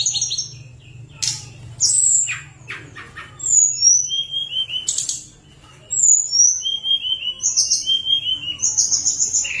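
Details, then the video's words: Sunda warbler song recorded as a lure for lazy birds: high thin whistled notes, brief buzzy bursts and short descending slurs, broken by a silent gap near six seconds, over a low steady hum. "Tledekan Gunung Gacor Nyuling-nyuling Sangat Ampuh Untuk Pancingan Tledekan Yang Malas bunyi."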